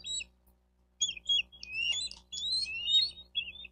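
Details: Squeaky, twittering chirps and short descending squeals from a Bald eagle at a Miami-Dade County, Florida nest, 4 June 2023 around 12:35, picked up by a nest cam with steady low background hum and rustling.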